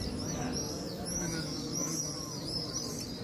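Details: Swifts flying over the Western Wall, several birds calling at once with high, sweeping screams in quick succession above a background of people talking.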